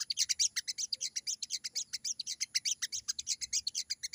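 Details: Sogon singing hard in the wild, a dense chatter of sharp, high-pitched notes repeated rapidly and almost evenly, with a faint low hum beneath.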